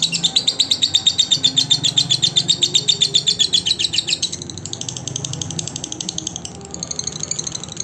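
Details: A lovebird's song recorded to train other lovebirds opens with a loud, very regular run of shrill chirps, then fades into a thinner, softer chatter with a short gap.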